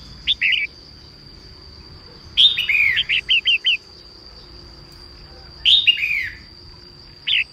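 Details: Female red-whiskered bulbul singing in the morning to stimulate males: short bursts of bright, slurred whistled notes, a phrase of five or six quick notes, then pauses; a steady high tone runs throughout.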